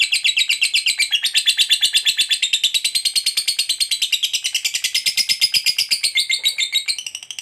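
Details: Fighter lovebird ngekek, a long trilling song used as a prompt for other lovebirds: steady, fast, buzzy chattering of pulsed notes that holds for about seven seconds before fading at the end.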